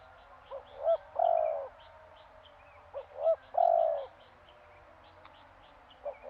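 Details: Spotted dove cooing: two short rising coos, then a longer drawn-out hoarse coo, repeated about every two and a half seconds. Small birds chirp and twitter faintly in the background.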